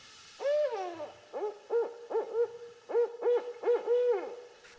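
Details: Barred Owl giving its territorial advertising song, "who cooks for you, who cooks for you all," the eight-hoot phrase: about eight deep, slurred hoots with an emphatic drawn-out ending.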